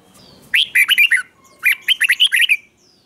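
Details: Caged red-whiskered bulbul giving its 'double' song to teach young birds: two close phrases of quick bright warbled notes, five then seven notes, clear and loud against a quiet background.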